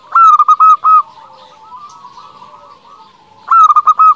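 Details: Zebra dove of local stock, a frequent singer used to draw replies from rivals: loud, rapid, clipped cooing bursts at the start and end, with softer distant dove phrases rippling in between.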